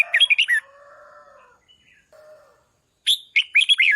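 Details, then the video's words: Red-whiskered bulbul phrases, sung to rouse decoy birds, of quick looping whistles open and close the recording, with a lower drawn-out warbling sound in between. "นกปรอดหัวโขนร้องเพราะที่สุด | ฝึกเสียงให้ร้องดัง | กระตุ้นนกต่อให้ฮึกเหิม"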